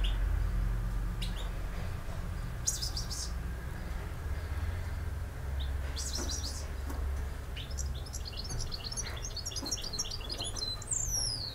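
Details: European goldfinch, campero style song: mostly scattered single high chirps and clicks at first, then a burst of rapid tinkling twitter and a falling whistled slide at the close, with a low constant hum underneath.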